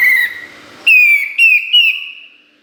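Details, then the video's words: Master song of kapas tembak for teaching competition songbirds: a run of loud clear whistles, each a level note that dips slightly at its end, four phrases in quick succession before fading out. "Masteran Kapas Tembak Gacor Nembak Isian Tajam Full"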